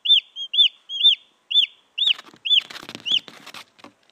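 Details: Wild junglefowl chick, recorded to lure wild hens, giving high, arched peeps about twice a second. Rustling and clicking noises crowd in during the second half.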